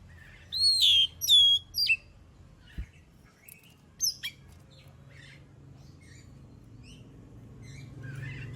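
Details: Oriental magpie-robin (kacer) song used to provoke other birds into singing: loud rising and falling whistles with sharp clicks early on, then scattered soft notes over faint background hum.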